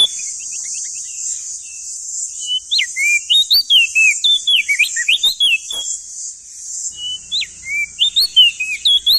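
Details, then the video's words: Crested white-eye male, an East Nusa Tenggara endemic, in full loud song: tumbling chains of bright, sharply swooping whistles, a short lull, then more rising and dipping notes, with a continuous shrill hiss throughout. "Masteran Burung Opior Jambul Muda Biar Cepat Gacor Rajin Bunyi Siang Malam"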